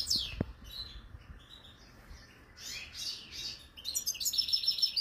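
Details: European goldfinch, a wild-caught bird kept in Algeria, gives scattered sharp downslurred notes and short buzzy twitters, then breaks into a continuous high, rapid tinkling trill near the end.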